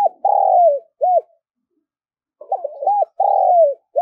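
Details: Spotted dove calling to lure others: the tail of one phrase, then a full phrase of rapid stuttered notes, a long falling coo and a short arched hoot, repeated with brief pauses.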